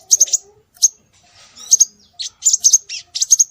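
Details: Scarlet minivet lure calls for attracting birds. Clusters of two or three high, piercing chirps are separated by short pauses. A soft, faint rustle fills the middle, and the notes end in a quick sequence of bright whistles.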